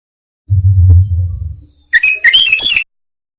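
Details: Lure call of a sooty-headed bulbul, used by trappers to attract wild birds: a low droning hum first, then a quick run of sharp, high whistled chirps.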